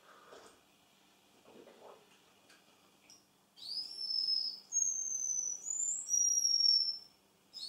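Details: Male Russian canary: faint soft rustles first, then a run of high, thin whistled notes, some sliding upward, others held level, with brief gaps between phrases.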